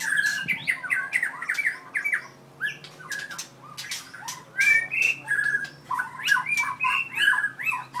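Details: Aggressive 4-year-old white-rumped shama from Merapoh, Pahang, tail 7.6 inches, alternates bursts of scratchy clicks with clear whistled phrases, pausing briefly midway, low hum in the background.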